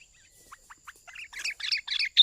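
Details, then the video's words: Sooty-headed bulbul lure call used for trapping and song training: a few soft rising notes, then a quickening burst of bright, chattering chirps that grows louder toward the end. "Suara Pikat Burung Kutilang Gacor"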